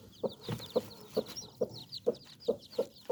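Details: Hen mother with nine chicks: evenly spaced, short, low clucks about every 0.4 seconds, with many high, twittering chick peeps running over them.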